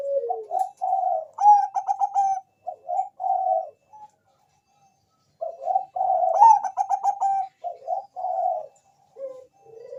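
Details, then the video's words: Zebra dove of the Bangkok strain singing as a lure to make other doves answer; two long bouts of mellow coos, each with a rapid buzzy trill, split by a quiet gap. "perkutut bangkok jawara RAJA GACOR 100% di jamin langsung nyaut pancingan cepat bunyi"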